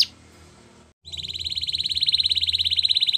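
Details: Canary singing to prompt other canaries to sing: after a short burst of noise and a pause, a rapid, even, pulsing trill swells steadily louder, with a faint low hum beneath.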